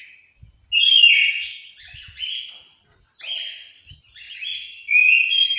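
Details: Orange-headed thrush in an aviary in Malang, East Java, singing clear, varied phrases of bright whistles and warbles separated by short pauses, each phrase loud and rich, with faint low taps between them.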